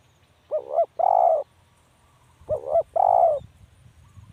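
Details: Spotted dove calling, two coo phrases about two seconds apart, each a short wavering double note then a longer, louder mellow coo.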